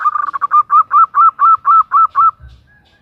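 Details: Female zebra dove calling the male: a stuttering burst of quick notes settles into about nine evenly spaced, hollow mid-pitched coos, each slightly rising, ending after two seconds, followed by a soft low thump.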